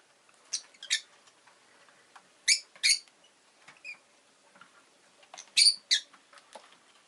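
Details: Chirping pet rosy-faced lovebird: clusters of short, bright, harsh chirps, some in quick pairs, scattered over several seconds with softer clicks in between.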